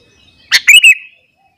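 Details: A single sooty-headed bulbul phrase from a vigorous morning singer meant to provoke other bulbuls: a sharp opening note followed by a quick, fluty, bubbling flourish lasting about half a second.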